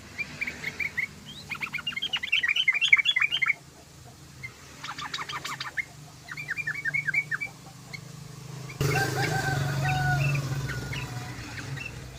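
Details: Yellow-vented bulbul song, used as a lure for other birds: three bursts of rapid, bubbly chattering notes over about eight seconds, separated by short pauses, then a loud rustling noise takes over.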